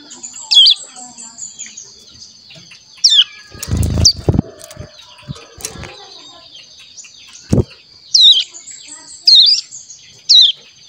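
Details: A young caged crescent-chested warbler chick learning to sing gives single sharp, high downslurred chirps every second or two, with wing flutters and rustling in between.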